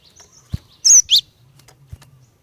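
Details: Female Cinereous tit, calling to make males sing, delivers two loud, piercing high chirps close together, with soft low thumps before and after over a faint hum.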